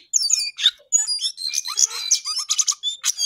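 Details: Lively song of a lesser shortwing (cingcoang coklat): a fast jumble of high chirps, buzzy notes and short whistles, with a few lower warbled notes mixed into the steady run of sound.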